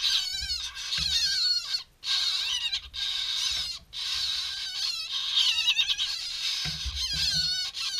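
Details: Two hand-reared chough chicks getting a mid-morning snack give harsh, raspy begging calls in near-constant overlapping bursts, loud and insistent, with a few soft low thumps of handling between.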